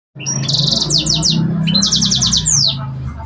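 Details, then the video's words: Sanger bird singing its cengkok song style: two bursts of loud, high, buzzy trilled notes, each a quick run of rapid repeated strokes ending in a descending sweep, over a steady low background hum. "Cenkoknya Burung Sanger"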